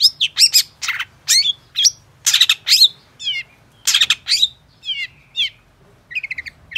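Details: Long-tailed shrike song for prompting other shrikes to sing, made of scratchy, harsh bursts mixed with rising and falling whistled slurs, in irregular phrases with brief pauses.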